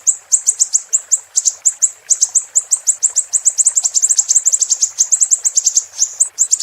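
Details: High, sharp chirping song of the Siri-siri, meant for songbirds to copy, repeating quick notes several per second that grow denser and more hurried toward the end, without pause.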